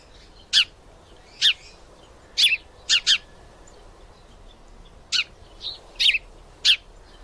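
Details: Sparrow male making sounds as two female sparrows fight: sharp, high chirps, some given in quick pairs, spaced under a second to two seconds apart, with a faint softer note between.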